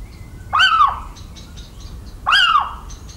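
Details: Little owl cries recorded in rural central France, 17 March 2019: two sharp, arched, yelping calls about 1.7 seconds apart, bright and harsh, with soft high chirps from other birds in between.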